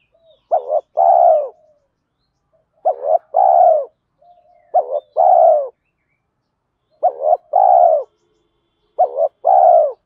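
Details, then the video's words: Spotted dove calls, male and female, used to stimulate trained doves. Five low cooing phrases about every two seconds, each a quick double note and then a sustained falling coo, with faint soft murmurs between them. "Tiếng chim cu gáy THÚC GÙ Gáy Gọi, nhiều bài vở(tiếng chim cu gáy kích bổi hiệu quả)"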